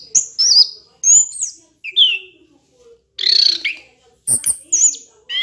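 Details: Orange-headed thrush tutor song used to train other birds. Separate whistled and warbled phrases come roughly once a second with brief pauses between them, over a faint low hum.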